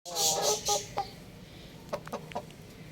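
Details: Chickens kept at home; the birds are described as a little rooster and chicks. A few loud, harmonic clucking notes come in the first second, followed by softer short calls near the two-second mark against a quiet background.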